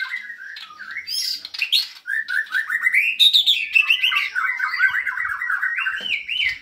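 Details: White-rumped shama singing hard in a cage: varied slurred whistles climbing and falling, fast chattering runs and scratchy bursts, delivered without a break.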